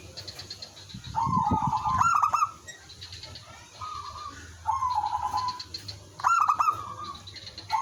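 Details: Lure zebra dove of village stock in full song, with other doves replying: repeated rolling cooing trills at mid pitch, louder phrases led by sharp rapid clicks alternating with softer answering phrases, a low thump early on.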